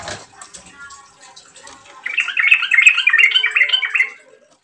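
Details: Lure recording of a chatty yellow-vented bulbul to prompt others to keep singing: a short noise at the start, then one long, rapid, bubbling warbled phrase.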